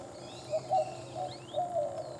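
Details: Eastern screech owl at San Benito, Texas, 4 June 2016, giving soft, low, wavering trilled notes in two short bursts, with faint thin chirps high in the background.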